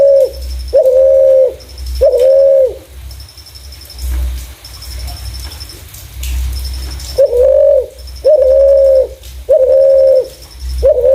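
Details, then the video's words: Spotted dove with a clear voice, used as a lure for other doves: long level coos with a short rising start, about one per second in bursts, then a pause, over a faint high pulsing tick and low rumble. "Burung Terkukur // Suara jernih cocok untuk pancingan"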